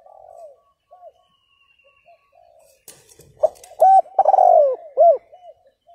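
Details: Spotted dove cooing, played to stir up and provoke a rival bird. Faint soft coos open, then a few clicks and thumps, then a loud run of rounded, low coo notes with a drawn-out slurred middle note.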